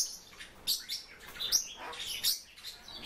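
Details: Kept (captive) silver-eared mesia giving short, high, sharp chirps in an uneven series, several notes within three seconds, with faint background hiss.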